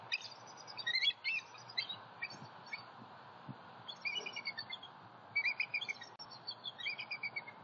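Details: Piping, high-pitched chatter from bald eagles at a Southwest Florida nest, 28 October 2019, morning, when a three-year-old sub-adult drops in. The notes come in several quick runs over constant soft hiss.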